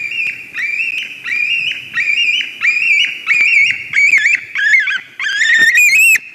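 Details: White-tailed eagles at a nest in Durbe, Latvia, on 13 August 2023, calling as a ringed stranger eagle flies in: a run of strained, harmonic whistled yelps, about one per second, growing wavering and shriller toward the end.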